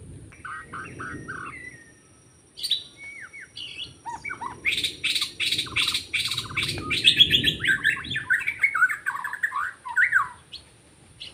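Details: White-rumped shama singing in forest during bird trapping, Lombok: a varied run of whistled and chattering phrases, quiet opening notes then a dense burst of rapid rising and falling whistles with buzzy trills, steady high hiss behind.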